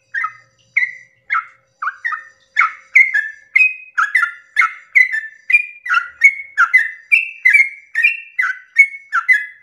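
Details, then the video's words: Sooty-headed bulbul at dawn giving a long song to stir other bulbuls to join in; starts with spaced single notes, then speeds into a dense run of bubbly whistled phrases, two to three per second. "pancingan trucukan ropel panjang subuh pagi hari merangsang emosi trucuk lain agar ikut bunyi Ropel"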